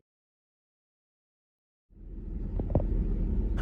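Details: Near silence gives way to a low rumble of wind or traffic with a couple of soft knocks, and no animal sounds.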